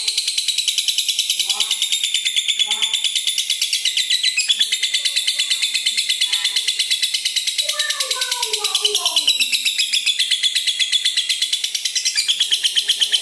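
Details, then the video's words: Red-eyed lutino lovebird giving a long ngekek, a sustained fast trill of dry, chattering pulses that runs the whole way through, with faint human speech underneath. The recording is meant to stimulate and tutor other lovebirds. "Lutino mata merah ngekek panjang | LB Ngekek Panjang"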